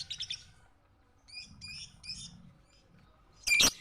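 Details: Lovebird in a training recording for other birds: a fast trill of high chirps, then three matching ringing, multi-toned notes evenly spaced, ending in one loud harsh squawk.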